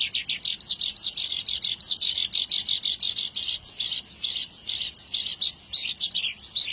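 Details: Horsfield's bush lark giving a long song meant to stir up its mood: rapid chattering trill of high sharp notes, with brief upward-sweeping whistles breaking through every second or so.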